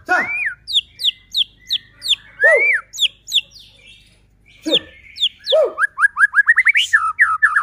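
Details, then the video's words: White-rumped shama singing, kept as a lure to provoke other shamas into song: loud rising-falling whistles, rapid repeated sharp chirps, then a quick accelerating series of short upslurred notes. "Murai batu gacor AMPUH buat PANCINGAN murai batu agar bunyi JADIKAN burung murai EMOSI"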